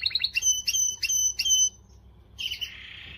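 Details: Canary singing to stimulate females: a few quick chirps lead into four loud, ringing, repeated whistled notes, a short pause, then a buzzy, dense trill at the end.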